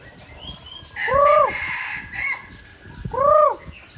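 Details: Red junglefowl from Aceh, used as a lure recording, giving two loud arched cackling calls about two seconds apart, each rising then falling, over faint background bird chirps and hiss.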